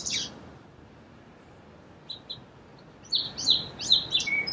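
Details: Song sparrow: a brief high note, near silence with faint chips, then a run of sharp descending whistles ending on a lower tone.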